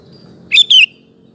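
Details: Sooty-headed bulbul in full song, used as a lure and training model to provoke male bulbuls into singing; one short bubbly two-note phrase, the notes slurring downward, over a faint low hum.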